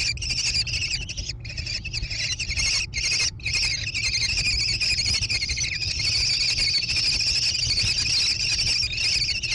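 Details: American kestrel chicks growing in a gravel-floored nest box on a barn in Wisconsin, USA, June 2022. Stuttering high trills come at first, then settle into a steady, continuous shrill whine over a low background hum.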